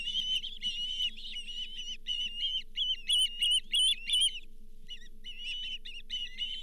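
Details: Osprey at the Charlo nest on 31 July 2023, around the delivery of the day's fifth fish, a lake whitefish. Rapid series of high, whistled chirps repeated about three times a second, some louder sharp peeps midway, a short pause, then chirping resumes over a steady hum.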